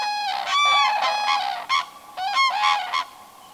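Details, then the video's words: Common cranes gathered at a lake shore in summer 2019, where around 100 birds spend the night: loud, ringing trumpeted calls with rich overtones, in several bursts, some rising then falling, overlapping one another, with a quiet background. "Europeans Cranes"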